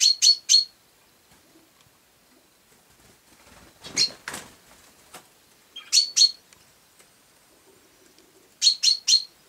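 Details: Sparrow calls as bursts of two or three sharp, high chirps returning every few seconds, with soft rustling and a brief scuffle midway.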